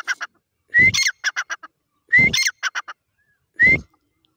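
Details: Irani dakhni teetar (grey francolin) giving loud phrases: a short upslurred whistle, then several rapid, harsh, evenly spaced notes, three phrases over four seconds with silent gaps between.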